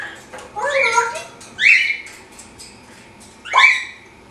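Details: Pet African grey parrot in its cage during morning exercise, doing flips and talking: speech-like harmonic phrases, then two rising whistled squawks about two seconds apart, indoors in a small room.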